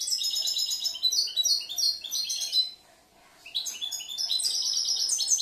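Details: Caged European goldfinch hatched last year, a versatile singer that mixes and composes phrases; rapid high twittering trills and jingling notes, a brief gap near the middle, then the tinkling song resumes strongly.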